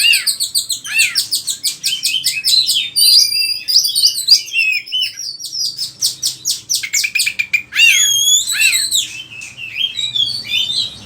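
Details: Oriental magpie-robin, a vigorously singing bird whose varied song is used as a lure and as tutor material for other magpie-robins, pours out rapid high chirps, sweeping whistles and sharp repeated notes in a busy, unbroken stream.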